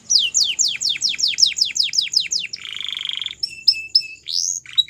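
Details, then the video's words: Belgian canary singing a run of loud, evenly spaced downslurred whistles, then a soft buzzy roll, short chips over a steady tone and a rising sweep. "Melodies Canary Bird Song | Belgian Canary Singing"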